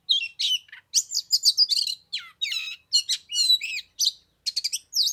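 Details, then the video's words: Oriental magpie-robin in song on a cold 15-degree day during Lunar New Year, kept singing an hour as rivals stayed away; dense bursts of high whistled and trilled notes with twangy slurs, delivered almost continuously in quick succession. "Chòe than mùng 3 tết cái lạnh 15 độ chơi 1 tiếng chim k xuống đánh"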